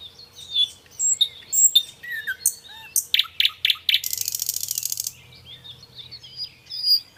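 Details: Singing nightingale with scattered high whistles and slurred notes, then a burst of loud repeated chips leading into a rapid buzzing trill, followed by quieter twittering.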